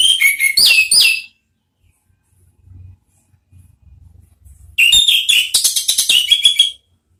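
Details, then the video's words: Orange-headed thrush song played to prompt kept birds: quick jumbled warbling of high whistled and chattering notes, a short burst, a silent gap with faint low rumble, then a longer varied run. "Siulan ANIS MERAH ampuh memancing BUNYI NGEPLONG ¦TERAPI PANCINGAN ¦ KICAUAN NGERIWIK"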